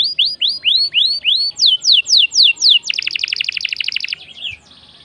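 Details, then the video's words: Canary singing rapidly: upward-curving whistled notes several per second, then steep falling sweeps, breaking into a fast rattling trill before stopping, with a faint low hum. "SUARA KENARI GACOR||bikin emosi burung lain ikut gacor"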